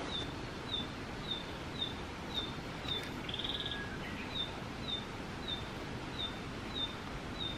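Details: A Narcissus flycatcher in Biei, Hokkaido, with a female nearby, possibly raising young, gives short, high, thin call notes repeated almost twice a second, with one brief rapid trill midway, over a steady background hiss.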